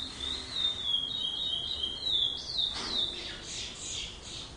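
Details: Two-year-old captive curió, the chestnut-bellied seed finch, recorded 05/10/2011: fluid high whistled warbling for nearly three seconds, followed by fainter scattered higher notes and soft background noise.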